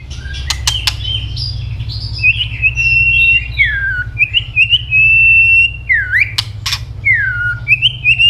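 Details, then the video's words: White-rumped shama in fighting song: clicks open the clip, followed by long, clear, high whistles sliding up and down in drawn-out phrases, broken by two sharp snaps, over a constant low hum. "chòe lửa chuyền hót đấu nết đập tạch đuôi chắc,kích chòe lửa hót đấu chớm lửa"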